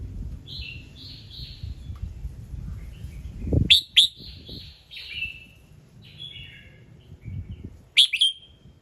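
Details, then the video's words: Red-whiskered bulbul morning song with many notes, used to trigger other birds to sing: a busier run of rolling, slurred whistled phrases and sharp chirps in quick succession, with a low thud partway through. "Chào Mào Hót Sáng Nhiều Âm Hay | KÍCH CHIM HÓT THEO LIỀN"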